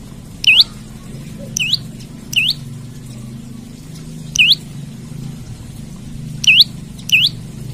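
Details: Lively olive-backed tailorbird calling to find a rival, repeating a sharp, rising, check-like whistle six times at uneven gaps of about one to two seconds over a low rumbling background.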